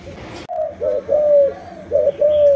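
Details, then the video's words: Brief burst of cooing from a kept Malaysian spotted dove: five or six mellow low notes, the middle ones drawn out and gently wavering, following a short rustle. "Cu Gáy Malaysia Nhiều Dòng"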